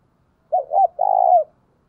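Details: Single cooing phrase of a decoy spotted dove in the thúc and gáy gọi styles: two short rounded notes, a brief pause, then a sustained burry coo that falls away at its end.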